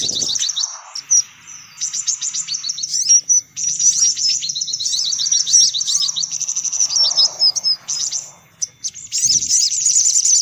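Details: Sunbird lure recording: excited, high, sharp chirps and rattling trills from several birds, with clear whistled notes in the middle and short pauses near the end.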